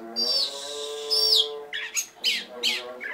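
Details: Oriental magpie-robin in a 'tembakan' phrase: two long high whistles with a downward slide, then short rough chirps. A steady low tonal drone with many harmonics runs underneath.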